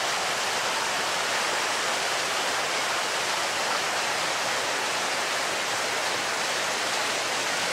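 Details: Loud, constant rushing of a stream or waterfall fills the whole recording, with no animal voice standing out.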